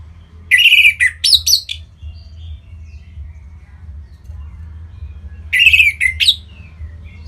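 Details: Orange-headed thrush, played as a bird-training sound to get other birds singing: two bursts of rich, high warbled phrases about five seconds apart, separated by near silence over a steady low hum.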